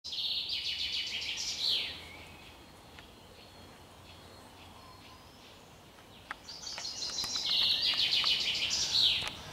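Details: Common chaffinch singing on 20 June 2021: two loud, bright trilled phrases, one at the start and one near the end, each a rapid run of repeated notes ending in a flourish, with a quiet gap between them.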